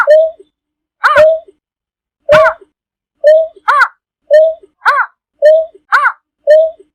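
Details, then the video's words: Greater painted-snipe calling its flock: rough, arched notes alternate with lower, flat, hooting tones, creating a busy, irregular back-and-forth pattern roughly twice a second. The setting is otherwise quiet. "Tiếng chim Nhát hoa gọi bầy"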